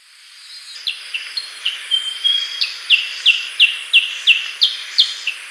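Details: Black-headed bulbul: a steady series of short, sharp, downslurred chips, about three per second, with a thin level whistle in the middle. There is a faint high insect-like hiss throughout.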